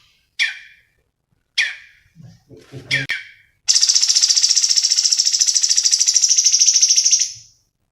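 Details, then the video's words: Cucak cungkok, black-headed bulbul, in a training recording: harsh falling chirps with faint low murmuring voices between them, then a long, loud, buzzy pulsed trill of over three seconds. "MASTERAN SUARA BURUNG CUNGKOK GACOR"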